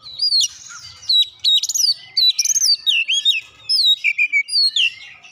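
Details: Oriental magpie-robin singing with borrowed gelatik batu (cinereous tit) material, a fast, varied run of sharp chirps, slurred whistles and high rippling notes in dense bursts, nearly unbroken across several seconds.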